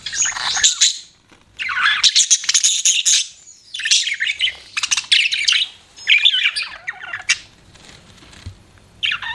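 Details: Pet budgies chattering in long bouts of buzzy, scratchy twitter mixed with quick whistled upslurs and warbles, separated by brief lulls.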